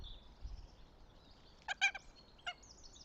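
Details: At a nest in Tartu, Estonia, 26 April 2025, a northern goshawk utters a quick burst of harsh, rasping notes followed by one more shortly after, over faint twittering of small birds.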